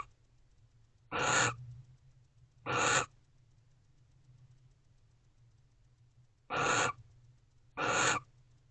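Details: A pair of wild barn owls in a nest box shortly before midnight on 19 November 2023, expressing affection, give four harsh, hissing, broadband screeches of about half a second each, two close together, a long pause, then two more.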